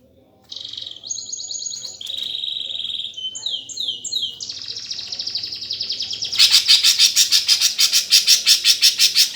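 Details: Greater green leafbird in sparrow-fight style song, a lure to provoke contest birds: clear high whistled notes and buzzy phrases at steady pitch, switching after six seconds to loud rapid harsh pulses repeated about three times a second.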